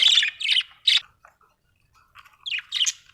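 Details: Budgerigar giving loud, harsh chirps in a quick run at the start, a near-silent gap with faint notes, then another pair of rasping squawky chirps.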